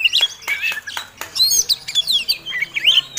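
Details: Oriental magpie-robin of the fighting type singing a provocative lure song: sharp clicks about every quarter second at first, then rich twisting whistles and buzzy chatter.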